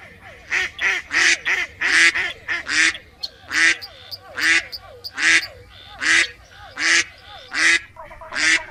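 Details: A duck quacking over and over in rough, nasal bursts, some notes coming in quick pairs, with a rhythmic run of softer gabbling sounds beneath.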